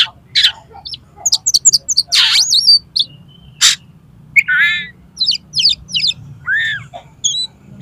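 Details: Oriental magpie-robin in konslet style, sung to make another magpie-robin spread its tail: a dense, varied outpouring of high chips, trills, buzzy bursts and harmonic whistled slurs, nearly continuous, over a soft low hum.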